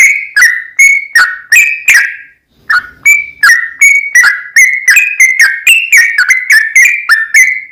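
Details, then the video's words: Provoking 'trucukan' song from a sooty-headed bulbul, long 'ropel' style: a string of crisp whistled notes, a brief pause near two seconds, then a denser, faster run of sharply struck, slightly falling whistles. "TRucuk Gacor EMOSI SUARA TRucukan Gacor ROPEL PANJANG PAncingan TRucukan Agar BUnyi"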